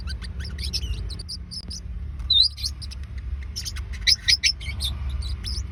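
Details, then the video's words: Forpus parrotlet calls from two pet birds, used for tracking down a missing bird: brief high chirps repeated irregularly, two or three louder twittering notes toward the end, constant low rumble beneath. "เสียงนกฟอพัส ตามหานกหาย Forpus Sounds"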